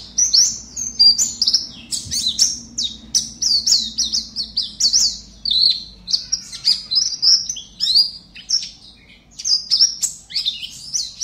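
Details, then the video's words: A pet Oriental white-eye from Pontianak, West Kalimantan, performing in an online singing contest, sings a fast, continuous stream of high, thin twittering and chirping phrases, with a faint low background hum. "Aksi Pleci"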